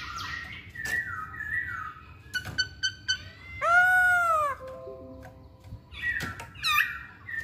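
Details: Masked laughingthrush in varied song: sliding whistles, sharp clicks, a loud arched mewing cry with strong overtones, low steady tones, then looping upslurred notes.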